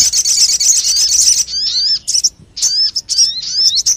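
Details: Crested jay call used as a lure for birds: an opening stretch of harsh, buzzy rattling, then separate high chirps that slide downward, with short gaps between bursts.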